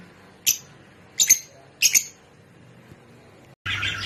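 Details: Rosy-faced and Fischer's lovebirds, a call to stimulate breeding: three harsh, high chirps, some doubled, spaced about two-thirds of a second apart, then a sudden burst of broad noise.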